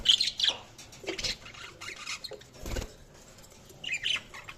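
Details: Budgies chirping in short high bursts, sharp twittering notes at the start and again near the end, with soft rustling and faint clicks between the calls.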